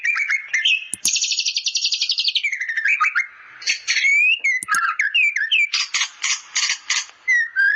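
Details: Trained white-rumped shama (murai batu) with bar-winged prinia (ciblek) song fill, giving varied whistled notes, a long rapid buzzy trill, sharp upslurred whistles and a burst of repeated harsh chattering notes.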